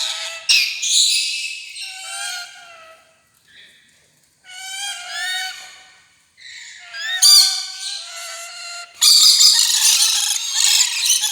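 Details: Rainbow lorikeet chatter: bursts of shrill, rasping squawks and short falling whistles, ending in a long, continuous, piercing screech.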